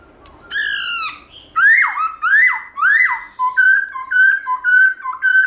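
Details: Morning song of a Black-throated laughingthrush in forest-voice style with changing voices. A harsh, buzzy note opens, then rising-and-falling whistles follow about twice a second, shifting to shorter, quicker repeated whistles.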